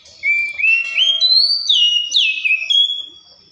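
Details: Oriental magpie-robin singing a bright whistled phrase of clear notes that climb in steps from mid to high pitch, then slur down and level off, with no other sounds.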